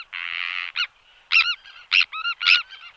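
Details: Sandwich tern calling in flight displays and in alarm at a colony: a long, harsh, rasping screech followed by shorter grating notes with clipped, ringing overtones, repeated about every half second.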